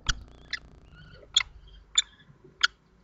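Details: Common kestrel at a nest in Théding during incubation, 2 May 2024, as the male takes over sitting on the eggs; short sharp clicking calls repeated about every half to one second, five in a row.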